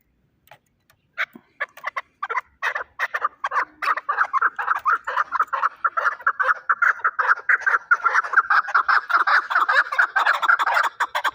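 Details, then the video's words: Chukar partridge kept as a fighting bird in Shahritus, Tajikistan: after a few scattered clucks, a rapid chattering run of chuk notes builds and grows denser, louder and more continuous toward the end. "Кабки Шаҳритус ҷангӣ"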